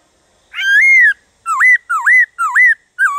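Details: Drawn-out rising whistle followed by four dipping, upturned notes, repeated about every half second. The song is a Black-throated laughingthrush 'gọi bổi' call-song for stimulating other laughingthrushes to sing.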